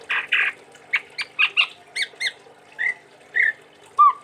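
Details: Kept chestnut-rumped babbler from Sumatra sings a string of short harsh notes, about a dozen, ending with a few slurred whistles and a clear rising note.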